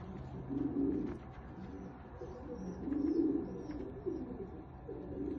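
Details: Fancy domestic pigeons, described as American Shamsi and Shirazi breeds, giving low throaty coos in rolling phrases about a second long, repeated roughly every one to two seconds against a faint background hiss.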